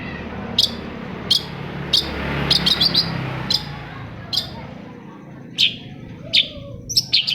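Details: Long-tailed shrike song used to stimulate other shrikes to sing: sharp, high chirps repeated at irregular intervals over a steady background hiss, with a faint low hum.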